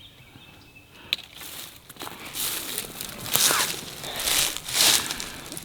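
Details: Crunching and rustling of dry leaves underfoot in the woods, with no clear animal call.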